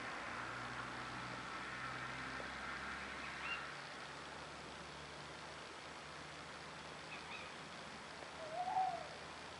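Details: Eurasian Tawny owls, male and female, calling faintly in France in April 2012: brief high notes early on, then a wavering, quavering hoot near the end, over a steady low rumble of distant traffic.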